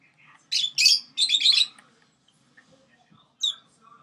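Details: Young pet sun conure, six months old, with budgies and lovebirds nearby, letting out a rapid string of loud, grating screeches over about a second, then one final harsh squawk after a brief silence.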